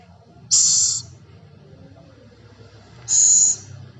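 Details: Scops owl, known locally as celepuk or ceguk, making two loud airy hisses about two and a half seconds apart, each about half a second long, with quiet low rumbling between them.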